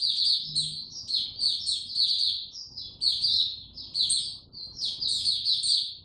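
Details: Caged white-eye singing on 29 April 2022, kept without health supplements: a rapid, unbroken high twittering of thin, quickly warbled notes with brief sharper squeaks layered above, running in bursts for the whole stretch.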